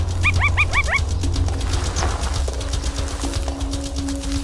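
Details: In the Kalahari, a drongo gives a quick burst of rising, harmonic chirps mimicking a meerkat sentinel's warning call, over music; this false alarm scares the foraging meerkats off their food so the drongo can steal it.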